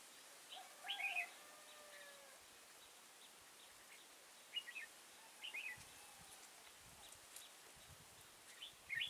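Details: Red-whiskered bulbul during trapping at Kim Bôi, Hòa Bình, Vietnam, on 6 April 2017: short, bright warbled phrases, each under a second, sounding at intervals over steady background hiss, with faint lower whistles underneath.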